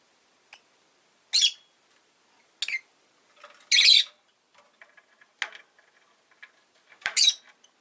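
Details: Rosy-faced lovebird, a pet, calling in short, scratchy, high-pitched chirps scattered across several seconds. Some are louder squawk-like bursts, and faint clicks fall between them.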